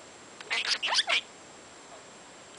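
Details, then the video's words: Talking budgie in the morning chattering rapidly: a short burst of scratchy, warbled syllables mixed with squeaky chirps over a steady background hiss. "Good Morning with Mango the talking budgie"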